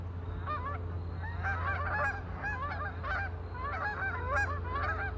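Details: Several ducks on a lake honking together in dense, overlapping bursts that rise and fall in loudness, with a steady low drone underneath.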